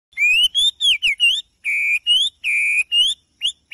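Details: In the morning, a bird sings loud, clear whistled phrases, some flat and some rising or falling, in quick bursts of about a third of a second with short gaps.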